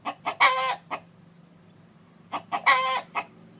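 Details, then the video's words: Rooster calling as a hen sits on her eggs: two phrases, each of two short clucks, a long grating squawk and a final cluck, separated by about one and a half seconds of quiet. "Gà trống kêu mái ấp trứng, âm thanh gà gáy"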